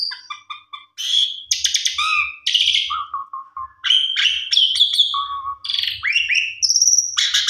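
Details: Asian pied starling singing a long, varied medley of whistles, harsh chattering bursts, low rolling notes and rising squeaks in quick succession, with faint low thumps underneath.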